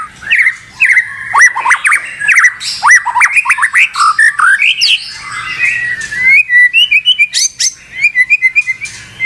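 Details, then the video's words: Caged white-rumped shama in full song, mixing low slurred whistles with sharp clicks and rattles, then a run of high, evenly spaced chipping notes. "SEKETIKA MURAI BATU MACET BUNYI LANSUNG TERPANCING EMOSI tak mau berhenti"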